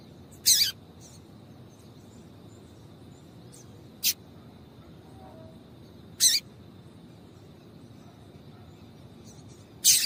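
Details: Calls of a female double-collared seedeater, used to excite a male into singing: four brief high chips spaced a few seconds apart, with a few fainter ticks between them and a soft constant hum beneath.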